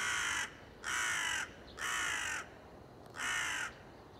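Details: Crow recorded on 30 September 2020, giving four loud, harsh, broadband caws about once a second, each roughly half a second long, over a faint steady background hum.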